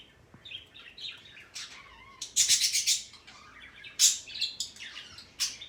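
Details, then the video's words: Male parrot calling indoors with a mix of thin squeaky notes, a dense series of harsh, loud chirps, and a sharp squawk, all high-pitched and irregularly spaced. "it’s too long he is making this sound today"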